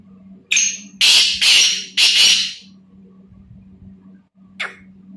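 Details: Black francolin calling: three loud, harsh, broadband grating bursts about half a second apart, then a short sharp note after a pause, over a steady low hum.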